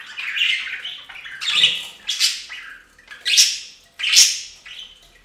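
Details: Budgerigars bathing in a bird fountain, giving harsh, scratchy squawks in bursts at roughly one-second intervals, each a broad, grating call, with softer chatter between them.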